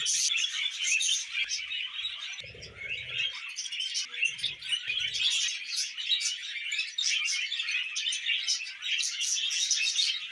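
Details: Loud, constant chatter from pet budgerigars: a dense mix of fast chirps, squeaks and grating warbles. Short low murmuring sounds appear briefly beneath the birds around the third and fifth seconds.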